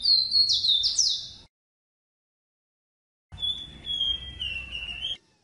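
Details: Male ruddy-breasted seedeater (Sporophila minuta) song, a canary-like song that usually ends in a buzz: high, quick whistled notes with sweeping slurs, then a sustained thin whistle that dips slightly, broken by a silent gap.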